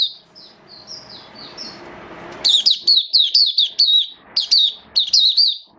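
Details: Oriental white-eye kept as a caged hobby bird, recorded 8 October 2022 in rainy weather: soft high warbling at first, then loud rapid series of sharp, bending whistled chirps, each note quickly repeated.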